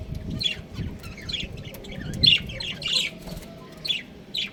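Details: Domestic budgerigar breeding pair chirping: rapid, twittering, slightly harsh chirps repeated in short groups, with soft low thuds in the background.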